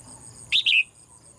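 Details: A female bird kept in a cage sings one quick bright chirp in two parts, the second longer and sliding downward, against a faint constant high hum.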